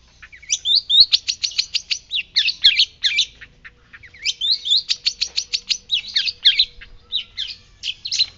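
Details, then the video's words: A white-breasted shrike in full song gives two long bursts of rapid, scratchy, high chattering notes, about eight per second, with squeaky whistles mixed in; no other sounds. "Pentet laut dada putih gacor"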